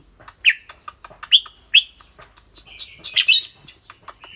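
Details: Caged red-whiskered bulbul with a clear voice, singing and chattering: short bright whistled notes, each dropping slightly, in bursts between sharp clicks and faint background rustle.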